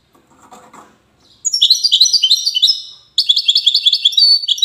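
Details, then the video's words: Widani-style European goldfinch song recorded in the city of Safi, Morocco: faint low rustling at first, then two lively phrases of quick rising chirps and tinkling twitters split by a brief gap. "حسون ويداني"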